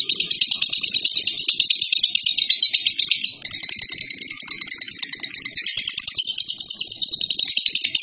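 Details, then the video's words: Long ngekek from a lovebird, a continuous shrill rattle of rapid buzzy notes. The texture shifts slightly midway and carries on without pause. A faint low murmur sits underneath. "ngekek love bird ini"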